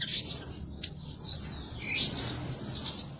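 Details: A decoy Blue-crowned hanging parrot, a lure bird said to call both day and night, gives thin high squeaky chirps running almost continuously, with one sharp rising note near the start.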